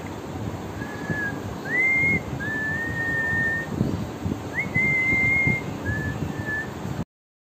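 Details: Pet parrot, said to talk and whistle very clearly, kept indoors and nodding off mid-talk: a run of thin, pure whistled notes, some flat, some sliding upward, about six phrases with short gaps.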